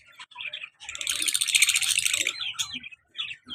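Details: Pair of pet lovebirds, colour male with black-mask female, active and playful: a dense, rapid stream of shrill chirps swelling for over a second, with brief sharp calls before and after.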